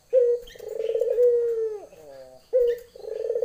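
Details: Female Barbary dove calling a male in the lenjeh style: a sharp short note, then a long rolling purr-like coo that holds steady and drops away at the end. A second call begins after a brief pause.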